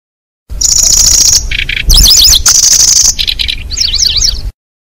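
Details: Zitting cisticola lure recording for catching birds: sustained thin high buzzy tones alternate with bursts of rapid zigzag chirps and lower rasping notes, about four per second.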